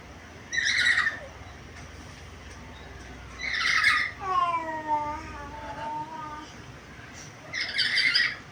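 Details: Talking black-capped lory, said to be vocal with varied sounds, gives three harsh, raspy squawks, the middle one followed by a long, slowly falling whistled note with strong overtones.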